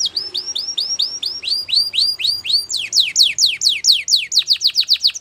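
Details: A Belgian canary (Serinus canaria) sings a bright, high tour of repeated curling notes, about five a second, then switches to a faster run of sharp downward-sweeping chips.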